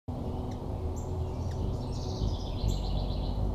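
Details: Hummingbird at a feeder, recorded with a GoPro Hero4 Black camera mounted nearby: thin, very high chirps and short twittering notes in a loose series, partly masked by steady low rumbling noise throughout.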